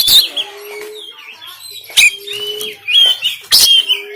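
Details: Kacer, the oriental magpie-robin, recorded by Android phone in Banten to spur sluggish caged birds into singing: sharp harsh bursts alternate with long gliding whistles, while a low flat hum returns about every second and a half.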